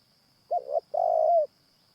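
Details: Spotted Dove cooing during a morning session trapping wild doves with a caged decoy. A single phrase of a short double note leads into a longer, level, mellow coo, and a thin high hum runs in the background.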